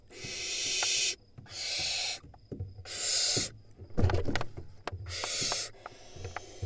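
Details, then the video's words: Barn owl nestlings, wild in Israel on a nest cam, screaming at a sibling at the entrance. Four rasping, hiss-like screeches about a second long come at uneven intervals, with thumps and scuffling between them. "Barn owl nestlings scream at their sibling that reached the entrance."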